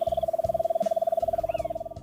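A nightjar gives a steady, toad-like trill: fast, even pulses at about twenty a second on one low-mid pitch. Faint thin whistles sound in the background.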